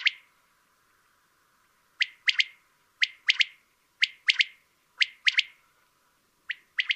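Common quail singing its sharp, liquid three-note phrase, one short note then a quick pair, repeated about once a second over near silence.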